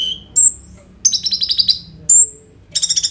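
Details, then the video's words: High-pitched song of a kolibri ninja sunbird, a 'roll tembak' style recording used to coax konin birds into song, phone-recorded: a descending thin whistle, a sharp piercing note, a fast buzzy rattle, then another piercing whistle and a trill. "KOLIBRI NINJA GACOR FULL ISIAN ROLL TEMBAK, COCOK UNTUK PANCINGAN KONIN BAHAN BIAR BUNYI"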